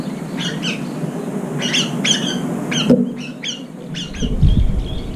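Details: Group of brown-eared bulbuls gathering late at a feeder that is running out, competing for food; grating, buzzy calls in pairs and short clusters, with a soft low rumble near the end.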